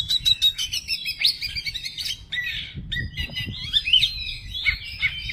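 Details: Oriental magpie-robin, kept in a songbird hobby setting, singing a full varied repertoire: rapid whistled phrases, chattering trills and sharp buzzy notes mixed with mimicked-sounding fragments, continuous throughout, with faint low background rumble.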